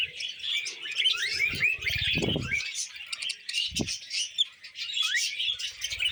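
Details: Budgerigars munching vegetables, said to be happy, produce a steady stream of twittering chirps and rising whistles, broken by two short low knocking sounds.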